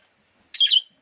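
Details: A single loud, harsh, squawking chirp from a pet rosy-faced lovebird, lasting about a third of a second.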